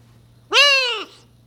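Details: Harlequin macaw (a pet harli-gold macaw) speaking just before bed, uttering a single half-second drawn-out word in a hoarse, harmonic voice that rises slightly then falls away, amid other words; faint background hum.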